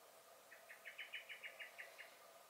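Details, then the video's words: Single burst of a common blackbird's alarm from a garden on 23 May 2021: around ten hard, clipped chink notes in quick succession, swelling in loudness then fading. "Song and Alarm Calls of the Blackbird"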